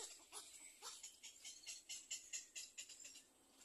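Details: Little egret chicks waiting for food in a second nest make a fast run of short, dry, raspy clicks and hisses, about two to three per second, fading at the end.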